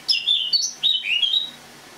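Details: Short autumn song phrase from a caged Eurasian blackcap wintering in a kitchen, recorded the morning of 1 October 2017; three or four clear, fluty whistled notes, sliding and sweet, then quiet.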